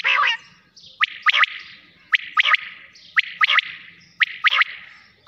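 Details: Quail calling at night, a loud three-note phrase, sharp and clipped, given roughly once a second in a steady series over a quiet background.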